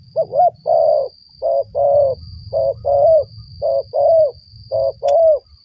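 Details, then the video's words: Rapid, regular cooing of a spotted dove at a trapping site: paired notes, a short flat coo then a longer one bending downward, repeated about once per second in five pairs, with a steady faint high tone and low background hum. "mikat burung tekukur"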